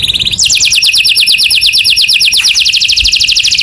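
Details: Canary singing in the morning: rapid high rolling trill of upward-sweeping notes, about eight per second, shifting tempo after a brief opening buzz, with a faint steady high whine above.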